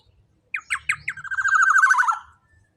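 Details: Black-naped oriole calling loudly. A single phrase of four sharp, clipped notes rolls into a long grating, nasal buzz of rapid pulses that falls slightly before stopping abruptly, against near silence.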